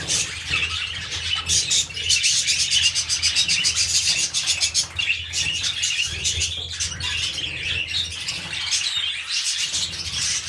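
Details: Budgerigars kept as pets, mating before a new clutch, chatter in fast runs of clicking, chirping notes, rapid trills near the start, then steadier warbling over a low hum.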